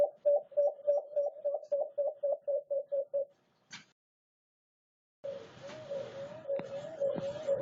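A White-eared brown dove gives a fast run of about fourteen low, hollow coos, roughly four a second. After a pause comes a noisy stretch with a steady low tone.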